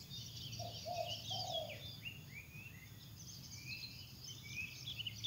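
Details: Spotted dove singing actively in the wild, giving a soft low three-part coo early on, while other birds add thin rising and falling whistles higher up throughout against a steady low background rumble.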